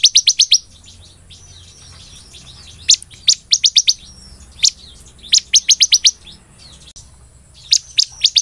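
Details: Bar-winged prinia, or ciblek, singing hard in a golden-grasshopper-imitating style. Bursts of four to six piercing high chirps repeat every second or two, separated by brief quiet gaps with faint chattering.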